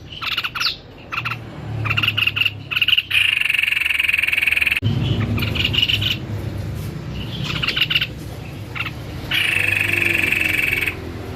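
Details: White-necked babbler singing vigorously: bursts of rapid, harsh, chattering trills and sharp notes, with a steady buzzing trill in the middle and near the end, separated by short pauses over low background hum.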